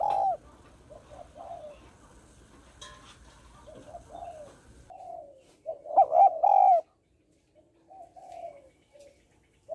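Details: Female spotted dove calling to stimulate males. Soft, mellow coos repeat through the recording, building to a loud, rich double coo, then quieter cooing notes follow after a brief silence.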